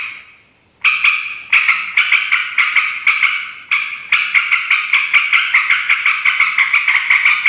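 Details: Yellow-vented bulbul chattering noisily to attract wild bulbuls, females and males: a short quiet start, then bursts of harsh clicking chatter that merge into a steady rapid run.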